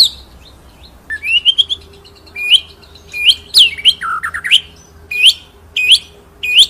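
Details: White-rumped shama singing ngerol nembak: sharp upslurred whistles repeated at intervals, a short run of low looping notes, and bright high chips, with a faint steady hum beneath.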